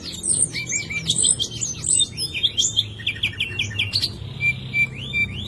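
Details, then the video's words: A green leafbird (cucak ijo) sings a fast, unbroken run of sharp whistles, chirps and quick trills, full of borrowed phrases, including common nightingale song, over a low background hum. "CUCAK IJO JAMTROK GACOR FULL ISIAN TEMBAKAN SIKATAN LONDO"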